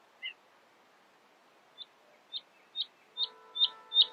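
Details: Nightingale singing in the early morning: a high double note, a pause, then a series of short, pure, high notes that grow steadily louder about every half second, over a faint low hum.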